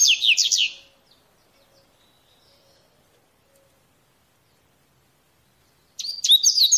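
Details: In nature, a coleirinho (Double-collared Seedeater) sings mateiro-style phrases: a rapid string of high descending slurred notes, then about five seconds of near silence, then the next phrase begins.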